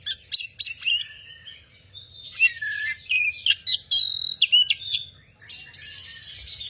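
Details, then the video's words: Female Oriental magpie-robin singing a rapid, varied stream of whistled and chattering phrases, with sliding notes and quick trills in fast bursts, separated by brief pauses, over a faint low hum. "kicau kacer gacor"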